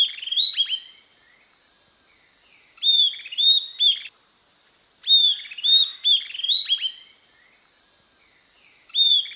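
Southern Antpipit singing short groups of two or three sharp, high, down-slurred whistles, repeated every two to three seconds over a steady high insect drone.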